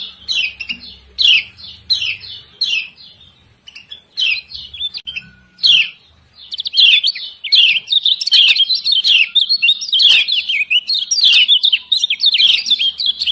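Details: Female lemon-bellied white-eye (kecial kuning Lombok) giving ciak ciak calls meant to stir lazy birds to sing: spaced, harsh descending chirps that quicken after six seconds into a dense, excited chattering run of rapid notes.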